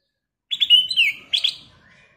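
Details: Kutilang emas, the black-crested bulbul, in lively song from a lure recording meant to prompt other birds to sing: a bright quick run of clear chirped notes, then a second short burst fading into a thin trailing whistle.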